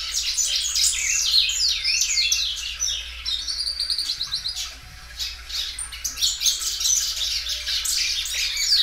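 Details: Belgian canary singer stretching its song over and over; loud high rolling trills and descending warbled phrases, a brief lull midway, then bursts of quick chirps resume.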